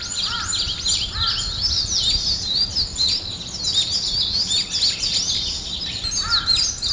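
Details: Birds singing in the morning, several voices overlapping in quick high chirps and trills, with a lower whistled note near the start and again at the end.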